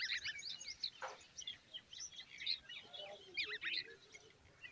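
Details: Common babbler chicks standing with their mother. Thin, high chirping comes in quick clusters, fairly soft against a background hiss.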